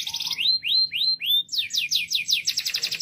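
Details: Canary song in loud phrases: a short buzzy trill, four clear upslurred whistles, then rapid sweeping downslurred notes and a quick trill.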